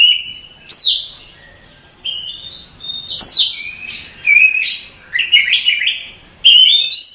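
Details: Masteran song of an Oriental magpie-robin for cage-bird training. Rich whistled phrases start with high swooping notes and run into rapid twittering, with brief silences between each burst. Background is quiet.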